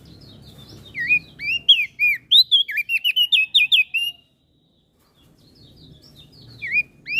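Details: Common iora and bar-winged prinia masteran song for tutoring caged birds: a fast, chattering string of high, sharply inflected whistles lasting about three seconds, then quiet, then a few more notes.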